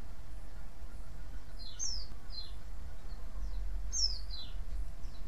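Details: White-eye call used to draw other white-eyes to reply: a few faint, high, falling slurred chirps, some in pairs, spaced over a few seconds against a low background hum.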